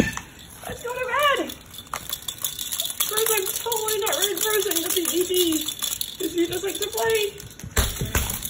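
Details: Pet Moluccan cockatoo at bedtime, talking and complaining about going into its cage: a sharp rising squawk, then long runs of warbling, speech-like mumbling, with rattling and clicking noises in a small room.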